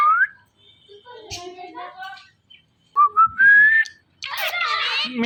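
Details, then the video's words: Pet talking parrot indoors giving a smooth rising whistle, then a run of wavering, speech-like harmonic chatter, a second longer rising whistle, and a harsh noisy burst at the end. "Talking Parrot Calling Happy Natural Sounds"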